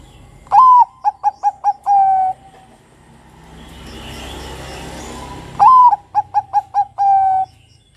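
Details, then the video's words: Bangkok-type zebra dove (perkutut) song: a loud rising opening coo, four quick short coos, then a long level held note, repeated twice with a soft hiss between phrases. "PERKUTUT Bangkok Kutut Bangkok yang mendengarkan Pasti ikut NYAUT BUNYI"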